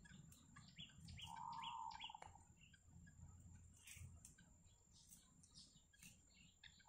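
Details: Wild yellow bittern family with chicks at the nest: one wavering, mid-pitched call of about a second stands out, with a few short high downward chirps before it and scattered chirps after, over low hum.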